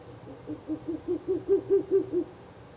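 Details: At a nest box on the night of 16 April 2024, a Ural owl gives one quick run of about nine deep, hollow hoots, starting soft and becoming louder and clearer midway, then fading.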